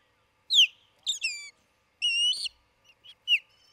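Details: Osprey at a nest near Charlo, Montana, on June 27, 2018, late morning, recorded by a nest camera. Several loud, high whistled notes, some sharply downslurred and some held flat, come in short bursts about half a second apart.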